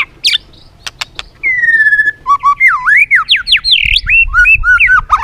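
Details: Competitive singing by a white-rumped shama: a few sharp clicks, a long level whistle, then a rapid series of swooping whistled notes rising and falling.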